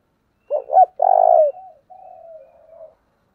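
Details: Spotted dove singing a 'giọng thổ' style coo: a quick double hoot, then a long, full coo, followed by softer, trailing, falling notes. The setting is silent.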